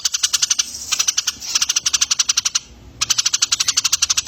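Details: Eurasian tree sparrow, on a recording used to train competition songbirds: steady, rapid, high-pitched chirps of about four per second, in runs broken by brief pauses.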